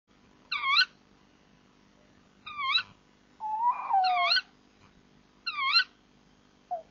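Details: Tawny owls at a nest box at 03:26 on 10 April 2014, the male bringing prey to the female, both vocal: four harmonic, upward-hooked calls spaced about two seconds apart, plus one longer, wavering, descending note.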